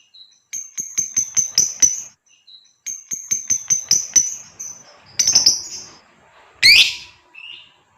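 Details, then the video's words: ['Female fighter lovebird calling a male to chatter at length. Two bursts of rapid ticking notes with high tinny tones, followed by harsh grating squawks and a rising shriek.'] "SUARA LOVEBIRD FIGHTER BETINA,jitu merayu memangil Lovebird jantan agar bersuara ngekek panjang"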